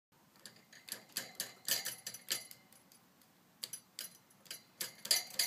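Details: A four-month-old female pet budgerigar gives quick, scratchy chirps in irregular bursts, several per second.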